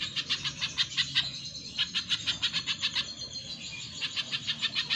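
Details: Spiderhunter (pijantung pisang) in full voice, recorded for training cage birds: rhythmic series of rasping chip notes at a steady quick pace, briefly interrupted, then resuming at equal volume.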